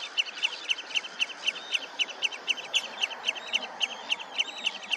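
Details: Red-necked phalarope at Olafsvik, Iceland, 15 June 2024, giving short, sharp, high notes in a quick, steady series, about four per second, with faint chatter from other birds behind.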